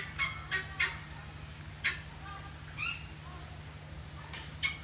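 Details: Kept lories from a collection of chatty birds give harsh, raspy squawks with stacked overtones. They come in short bursts, three in quick succession, then scattered single cries over a steady low hum.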